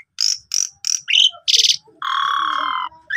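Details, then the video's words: Asian pied starling song, full of fill notes and used as a lure for a sulking starling: three harsh chack notes, a short whistle, a buzzy rattle and a long steady grating note. "Pancingan Jalak Suren Full Isian Mewah Melimpah!! Bagus Untuk Masteran Jalak Suren Pundung"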